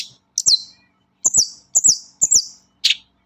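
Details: Long-tailed shrike song played as a lure to get shrikes singing: thin, high, downslurred whistled notes in paired bursts, about two a second, ending with a harsh note.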